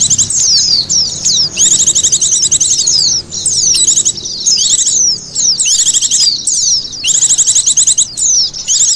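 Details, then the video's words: High-pitched twittering of Oriental white-eye used as a bird lure: fast chattering bursts of downslurred notes, roughly one burst per second, with brief quiet breaks between groups. "SUARA PIKT BURUNG PLECI PALING AMPUH...."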